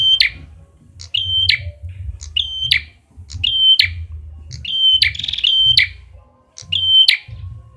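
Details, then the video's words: Lure recording of a red-headed prinia: six sustained high whistles, each opening with a thin pip and closing in a sharp buzzy break, roughly one per second over a low droning hum. "SUARA PANCINGAN BURUNG PRENJAK KEPALA MERAH"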